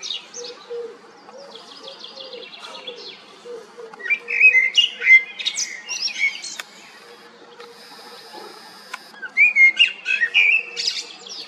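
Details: Common blackbird song: faint high twitters at first, then a loud phrase of warbled whistles ending in squeaky notes, and after a pause another similar phrase, with light background hiss.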